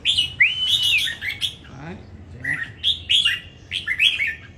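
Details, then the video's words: Caged red-whiskered bulbul singing in a Vietnamese competition in Đồng Nai, with fluid whistled slurs and chattering phrases; a faint human voice briefly underneath. "Chào Mào Đấu Hót"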